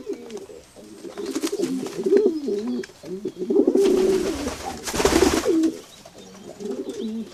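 Pigeons cooing in low, throaty, wavering phrases that overlap throughout, with bursts of wing flapping and a rushing flutter near the end.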